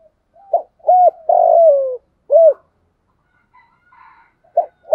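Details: Decoy spotted dove calling to draw in other doves: brief soft note, an arched coo, a long falling coo, then another arched note, followed by quieter short coos after a pause. Faint distant sounds in between.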